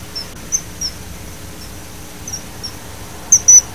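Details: Common kingfisher (Alcedo atthis) gives thin, very high, sharp whistled notes, scattered and faint at first, then a louder quick pair near the end, over a soft low rumble.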